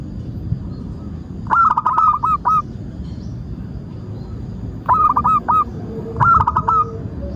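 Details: Zebra dove (local type) singing as a lure for trapping or training: three phrases of bubbling staccato coos, each ending on a longer note, separated by quiet stretches.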